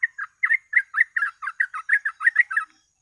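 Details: Short burst of yellow-vented bulbul song for bird-catching lures: a brisk series of about twelve bubbly, fluty notes, evenly spaced and bright, ending abruptly.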